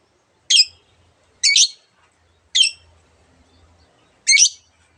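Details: Long-tailed shrike giving four separate harsh, rasping notes, each about a quarter second long, spaced about a second apart, with quiet in between.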